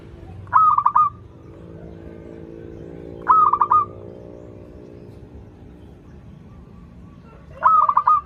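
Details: A local zebra dove sings to draw birds that are learning: three brief rolling, pulsed cooing phrases about three to four seconds apart, over a steady low droning hum.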